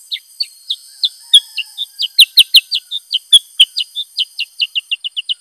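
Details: Male Black-headed Bulbul in vigorous song, showing off its repertoire. It gives a long, fast string of sharp, downslurred chirps at about four per second, some louder and clipped, over a constant high hiss.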